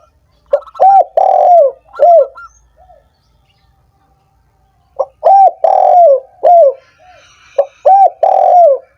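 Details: Spotted dove coos, used to stir doves that are lazy or have stopped singing: two bursts of mellow, bending coos about half a second each, with short clipped notes between, a quiet pause of two seconds separating the phrases.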